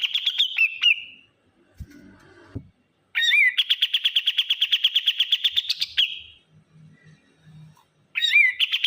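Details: Bulbul, locally burung kapas, calling noisily: sharp chirps, then a long fast rattle of even repeated notes lasting about three seconds, with faint low knocks and rustling between bursts.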